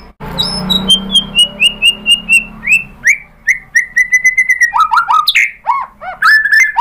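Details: Shama song meant to spur other birds to answer, opening with a run of evenly spaced whistled notes stepping gradually downward, then faster buzzy, twisting phrases and sharp upward sweeps toward the end.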